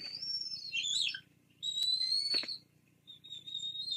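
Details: Two Bald Eagle nestlings beg for food at a Fraser Point nest on a live camera, 17 April 2022, as the female feeds them fish. High, thin whistles come in steady and wavering strokes, with brief gaps of quiet.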